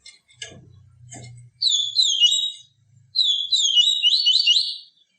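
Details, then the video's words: Yellow-bellied seedeater singing for stimulating caged birds: two phrases of quick slurred whistles with rising and falling notes, preceded by sharp clicking and a low hum. "CANTO DO PAPA CAPIM TUI TUI VIVITI, CANTO PURO"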